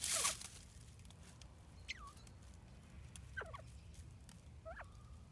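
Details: Captive bobwhite quail settling into a new enclosure: after a loud opening clatter, three soft whistled calls follow, each a quick slide or short warble, spaced about 1.5 seconds apart over faint background hum.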